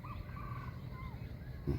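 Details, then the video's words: Wild red junglefowl crowing at a forest edge on a Friday morning, in a forest said to hold many junglefowl; faint, drawn-out tonal crow phrases, a long strained note then a shorter falling one, ending with a brief clatter nearby. "ได้ยินมั้ยฮะเสียงไก่ป่าขันเนี่ย"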